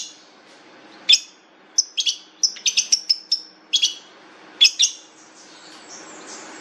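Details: Long-tailed shrike song of clipped, high chirps and short whistles, uttered in quick groups of two to four notes with short silences between.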